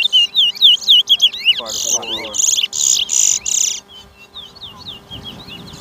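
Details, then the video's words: Towa towa (chestnut-bellied seed finch) competing in a 2023 bird race in Georgetown, Guyana: quick looping whistled phrases, then a run of loud buzzy bursts, then sparse thin notes, with brief speech from onlookers. "TOWA TOWA BIRD RACE"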